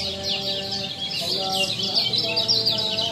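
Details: Kecial lombok singing for a masteran tutor track: quick, busy high-pitched twitters and squeaky chirps running nonstop, set against faint humming tones lower down.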